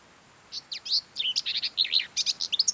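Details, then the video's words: Common whitethroat (Sylvia communis) singing in mid-May on Ona Island, Hustadvika area, Møre & Romsdal, Norway: a fast, scratchy, chattering warble of quick high notes and short buzzy slurs, one continuous phrase of about two seconds. "Singing Common Whitethroat warbler"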